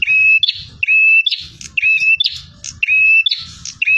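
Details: Singing bar-winged prinia, aggressive and persistent: each phrase a steady high whistle capped by a buzzy, sputtering trill, delivered about once a second, low-frequency rumble underneath.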